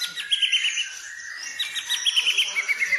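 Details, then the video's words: White-rumped shama lure song, full of fill-ins, to encourage other birds to sing: short runs of rapid, high, sharp notes repeated several times, with a steady fainter whistle underneath. "pancingan burung murai full isian"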